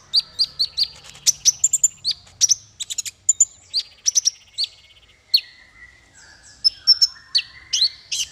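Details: Tutoring song for small fighter birds: lively high chirps and whistled notes in irregular bursts, some repeated in quick pairs, with slurred, upswept whistles later on.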